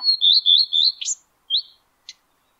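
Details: Singing male common redstart at the top of a spruce, May 2022; a steady high whistled phrase of linked notes ends in a sharp upward flick, then one lone whistle and a tiny click.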